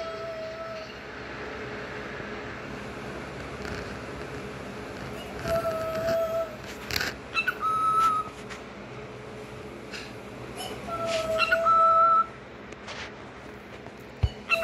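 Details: A pet cockatiel mimics the phrase "peek-a-boo", said along with its owner, in clear, tonal, whistle-like syllables repeated several times.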